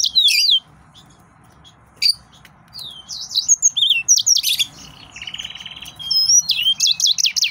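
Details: Hard-driving song of an excited male yellow-fronted canary: sharp high notes, a pause, then a stream of sweet slurred whistles, a buzzy trill and fast repeated chirps.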